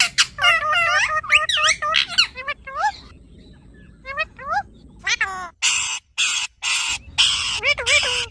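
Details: A pet green ringneck parrot talking: wavering, speech-like warbled syllables with rising and falling contours, then bursts of harsh broadband squawks near the end.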